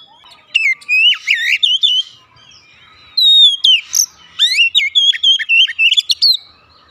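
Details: Oriental magpie-robin (kacer) in daily practice for a bird that has stopped singing, giving two lively bursts of fast, varied whistled notes with upward and downward slurs, separated by a short gap.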